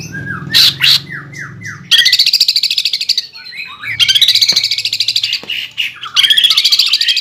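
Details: Greater green leafbird singing energetically: a few sliding whistled notes, then three bursts of fast, buzzy, rattling trills at high pitch, separated by brief pauses with softer twittering and a couple of sharp clicks.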